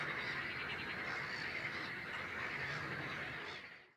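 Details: Great crested grebe, nominate race, Het Vinne near Zoutleeuw, Belgium, May 2016: quick, repeated rattling notes, about four a second, forming an unbroken harsh chatter that fades out at the end.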